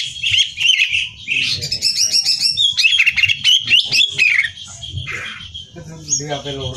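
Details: Greater green leafbird competition-training song: rich high warbling with rapid chirps and whistled slides, ending in a lower, buzzy harmonic call.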